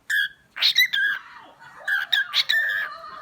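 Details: Cockatiel kept as a pet chattering with rough, harmonic squawks and brief chirps, a few in quick succession, while a woman's voice talks gently nearby.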